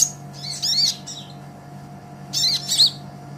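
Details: Brown-throated sunbird (kolibri ninja), lively song used as a master recording for training songbirds: two short bursts of high, thin, twittering notes separated by a pause, over a steady low electrical hum.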